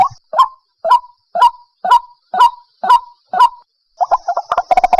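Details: White-breasted waterhen decoy call used by trappers to lure birds: eight harsh, upward-kinking croaks about two per second, then a faster jumble of overlapping notes in the last second.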